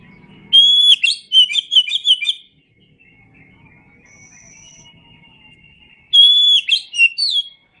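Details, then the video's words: Indonesian masteran song of the kacer, or Oriental magpie-robin: a whistled opening followed by a fast stuttering warble, then a long quiet stretch with a thin faint whistle. Another loud whistled phrase comes near the end. "Masteran Suara Kacer"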